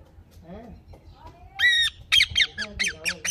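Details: Mithu parrot, an Indian ringneck kept as a pet, giving a drawn-out nasal call followed by a quick run of five or six sharp, harsh squawks, with a person's voice softly in the background.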